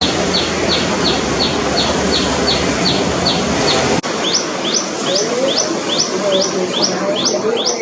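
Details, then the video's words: Tailorbird call: loud, sharp, high chips, about three per second, in a steady run over a constant broad background hiss. "Tailorbird Call"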